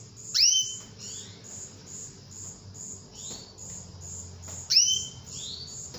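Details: Calls of a female canary meant to draw a male into full song. Loud, abrupt upsweeping notes come at the start and near the end, with fainter rising whistles between them, over a constant rapid series of faint high pulses.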